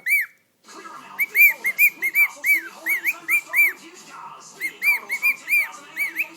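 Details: A pet cockatiel perched on a person's shoulder sings a run of clear, arched whistles, each rising and falling, repeated in quick bursts.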